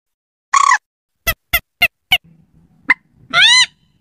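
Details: Slaty-breasted rail lure call intended for night use: a harsh screech, then four evenly spaced sharp notes, a single click and a final drawn-out arched squeal, with faint low hum between.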